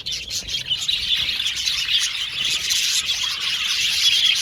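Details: Several male violet budgerigars in an aviary twitter and chirp continuously, a thick layer of high scratchy warbling with occasional clearer whistled notes.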